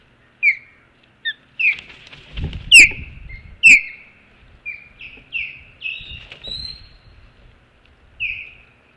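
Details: Ospreys at the Hog Island nest after an intruder, 20 April 2016 around 12:08; scattered thin whistled chirps, two loud sharp ones near the middle, with faint rustling and bumps.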